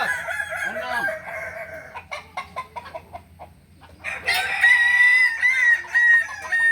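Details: Kukuak Balenggek roosters at a crowing practice contest, Ampang Kualo, Solok, May 2024. A crow fades into a run of sharp clucks, then a loud, long, wavering crow steps through several held notes.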